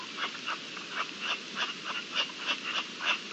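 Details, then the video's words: Rutting-season partridges, late April 2021, give a fast string of coarse, clucking chucks at about three a second, somewhat irregular in spacing, with faint steady background noise. "Celo de perdices"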